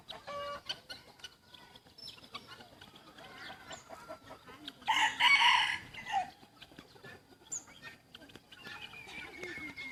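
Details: Young white decoy rooster kept in a village, recorded 1 June 2020, gives one loud, harsh, harmonic crow lasting about a second midway through, between scattered faint chirps and light background noise.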